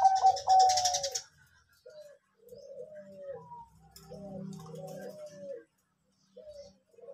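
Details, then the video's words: Zebra dove (perkutut, Bangkok type) recording used as a lure to prompt singing: soft, mid-pitched staccato coos in short rolled phrases, after a brief loud hissy burst at the start. "Anggungan perkutut"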